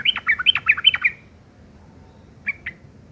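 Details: Sooty-headed bulbul giving rough chattering, known locally as ngeriwik kasar and used to tutor long-tailed shrikes: a quick run of about eight sharp chirps in one second, a pause, then two lone notes.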